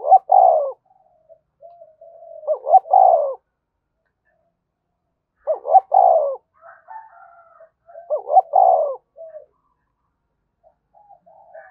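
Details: Energetic 'thúc bổi' cooing of a spotted dove, loud double-note coos repeated roughly every two to three seconds, with softer murmuring notes between phrases and no other sounds around.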